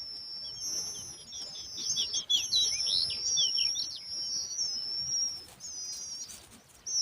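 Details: Young lark chicks described as very thirsty and hungry, calling for food; dense, overlapping high thin chirps and short squeaky notes come in quick irregular bursts, with a few brief whistled notes above.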